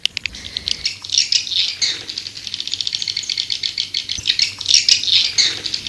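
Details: Swiftlet call meant to draw birds in, the seventh in a calling series: continuous high rattling trills that swell and fade in waves, with dry ticking throughout.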